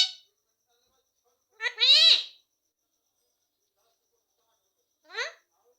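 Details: Ringneck parrot, a talking bird said to say "mummy papa": a brief opening note, then a longer hoarse, nasal, voice-like phrase around two seconds and a short squawky word near the end, with silence between.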